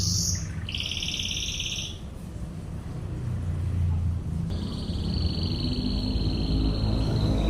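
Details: Canary song in the tembakan ngebren style, from a masteran tutor recording: high, dense trilled rolls in two bursts, a short one early and a long steady buzzing roll later, over constant low rumbling traffic-like noise.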